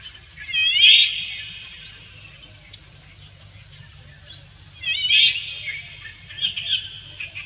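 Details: Indian golden oriole male singing his courtship song to a female: a loud cluster of arched harmonic notes, a few light upslurs, then a second cluster about four seconds later, over a steady insect buzz.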